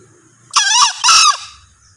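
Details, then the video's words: Close, loud crow from a male green junglefowl: a brief harsh two-part squeal, first burst slightly falling, second flatter, about three-quarters of a second overall, with a faint low rumble around it. "Suara Ayam Hutan Hijau(Jantan)"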